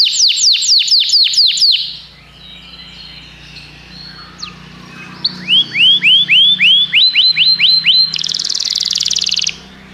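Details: Common canary singing a string of rapid downward-sweeping notes, then a pause and soft sounds, followed by a tour of rising upslurred notes and a final buzzy, rattling stretch.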